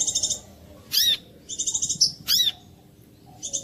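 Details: Brown-throated sunbird lure recording meant to prompt other birds of its kind to sing: high, thin chirped phrases in short bursts, alternating trills and sharp downslurred notes, with brief silent gaps between them.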